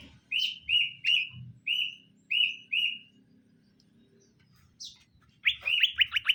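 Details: Greater green leafbirds, a male and female being paired so they quickly get along, both said to be in full voice. Six short whistled notes, each sliding slightly upward, come at even intervals. A quiet pause follows, then a fast burst of sharp rising chirps.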